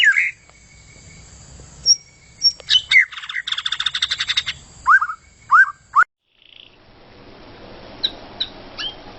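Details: White-rumped shama from the forest, song used as training material for contest birds: varied clear whistles, downslurred notes and a buzzy rattling trill, broken by a short pause, then faint high notes over soft background hiss.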